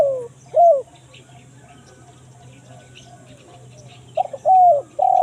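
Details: Lure call of a spotted dove in the kuk 1 mersik style for attracting wild forest birds: a few falling coos at the start, a long quiet gap with soft distant chirps, then a new phrase of stuttered notes and drawn coos.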